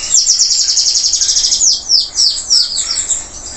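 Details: Local canary singing strongly after its moult: a rapid rolling trill of about fourteen high pulses, then a run of loud, clear notes swooping downward, repeated several times in quick succession.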